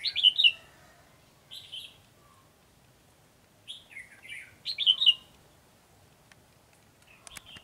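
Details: Red-whiskered bulbul of the white-cheeked type during trapping on 12 July 2020, flicking its tail; repeated bursts of bright, slurred, high chirping phrases separated by short pauses, with a few faint clicks.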